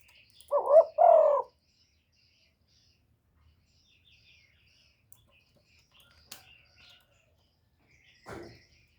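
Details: A single brief two-note coo from a spotted dove used to attract wild doves, low and husky, followed by several seconds of near silence with faint clicks and a soft distant noise.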